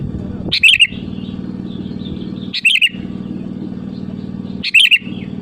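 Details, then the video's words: Sooty-headed bulbul calling rivals, used as a lure: short bubbly chirped phrases repeated about every two seconds, three in all, over a constant low mechanical hum. "SUARA ASLI BURUNG KUTILANG GACOR MEMANGGIL LAWAN AMPUH UNTUK PANCINGAN BIKIN LAWAN LANGSUNG NYAUT"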